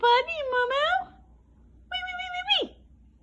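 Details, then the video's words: Pet Indian ringneck parakeet talking and being silly indoors, older recording from before its molt ended; two harmonic, speech-like utterances, the first wavering and the second steady and then dropping sharply at the end, in a quiet room. "Talking Indian Ringneck parrot"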